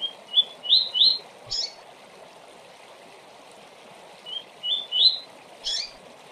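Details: Double-collared seedeater singing the rapid tui-tui song meant for training future tournament birds: two bursts of quick, rising, piping notes, each followed by a sharp high chip, against a steady hiss.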